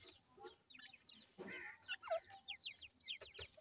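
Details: Grey francolin chicks at feeding and play utter bright, high peeps that drop sharply in pitch, at times in quick runs of three or four. A soft rustle sounds in the middle.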